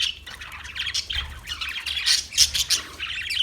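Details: Parakeet twittering with rapid, high, scratchy chirps, a few piercing notes standing out near the middle.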